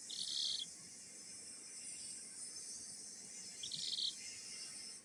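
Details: A Kikiriki chicken making happy sounds: two short, high, bright peeps about three and a half seconds apart over a steady high hiss.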